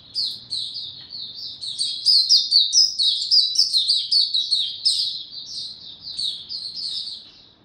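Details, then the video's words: Oriental white-eye delivering a slow, easy song: a continuous stream of rapid, high, tinkling chirps rising in intensity, then tapering to softer notes. "Mata Puteh Hercules buka sing go slow n easy"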